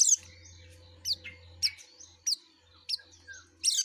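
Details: Actively singing yellow-breasted white-eye delivering sharp descending high chirps about every half second, interspersed with thin whistled notes, while a low hum runs underneath.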